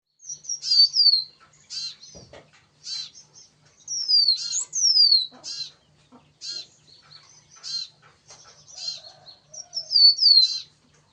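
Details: Yellow-bellied prinia singing steadily: high, buzzy bursts of notes alternating with thin whistles that slide downward, with phrases coming in quick irregular bunches separated by short pauses. A brief low thud is heard early on.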